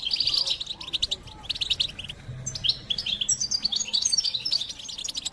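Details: Singing European goldfinch giving a quick jumble of twittering, trilled and slurred high notes, rising into brighter tinkling phrases toward the end, over faint low background hum.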